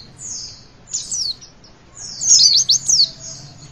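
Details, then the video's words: High Javan white-eye song for prompting young birds to sing: drawn-out thin whistles with one slurred flourish, then a brighter zigzag phrase of quick falling and rising notes near the end. Low hum behind. "Pleci Bakalan Ikutan WITWIT ga pake lama Bikin Gacor!!!"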